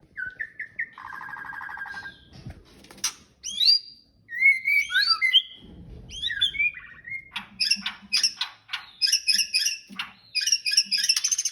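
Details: Male white-rumped shama courting a female: a varied song of clear rising whistles and buzzy trills, slurred down-swooping notes, then quick high chattering phrases, with brief pauses between bursts.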